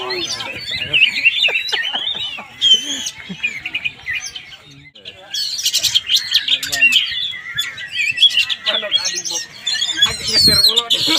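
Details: Oriental magpie-robin in Palembang singing a rich, varied run of whistles, trills and sweeping notes, loud and continuous with short pauses, mixed with human voices and background chatter.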